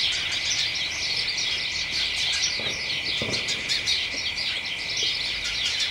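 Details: A flock of house sparrows with other birds chatters excitedly in a garden hedge on a late afternoon in early December, a dense nonstop mass of short, bright overlapping chirps.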